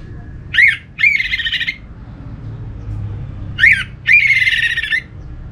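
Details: Song of an orange-headed thrush, a bird-keeping recording used to coax other thrushes into singing: two phrases about three seconds apart, each a quick rising note and then a scratchy, buzzy chatter lasting under a second, over a faint low rumble.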